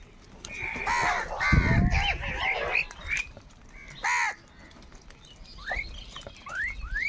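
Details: Crows squabbling over food give a few rasping caws early on and one short caw later. Thinner rising chirps follow near the end against steady background hiss.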